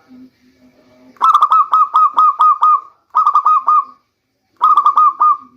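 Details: Local zebra dove singing, a lure sound for the rainy season. A faint low note comes first, then a long run of about nine rapid rolling coos, followed by two shorter bubbling phrases after brief pauses.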